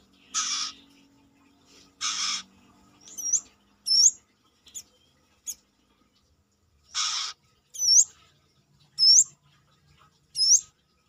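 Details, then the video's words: Brown-throated sunbird, locally called kolibri kelapa or manggar, singing actively outside its cage, a voice suited for tutoring other birds; harsh buzzy bursts alternate with sharp, high, hooked whistled notes, about ten sounds in eleven seconds. "KORLAP (Kolibri kelapa)Manggar gacor luar sangkar...masteran besetan kerasa."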